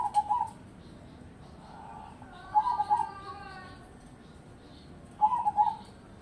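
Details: Zebra dove, crossbred perkutut said to sing morning, midday and evening: rolling, quavering coo phrases repeated about every two and a half seconds, with a faint tonal hum overlapping between them.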